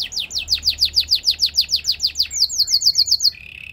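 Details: Canary training song: about twenty quick descending whistled notes repeated evenly, shifting to a faster run, ending in a soft low sustained roll.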